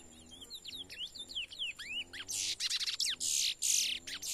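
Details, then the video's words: Young brown-plumaged Chestnut-bellied seed finch singing in the bush on an outing, its song slowly loosening up before training. It gives a run of clear, descending whistled slurs, then loud, harsh, buzzy bursts in quick succession. "CURIÓ PARDO CANTANDO NO MATO"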